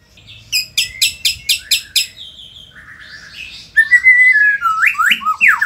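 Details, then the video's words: White-rumped shama from Indonesia delivering a row of six harsh, broadband chattering notes, then a low warble, a bright steady whistle and quick rising slurs in a varied song. "murai gacor super figter | shama bird Indonesia"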